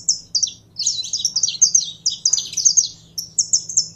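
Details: Caged saffron finch being warmed up through handling to fire up its singing. Fast, high, sharp chirped notes tumble in bursts, pausing briefly near the start and again late on, over a faint steady low hum.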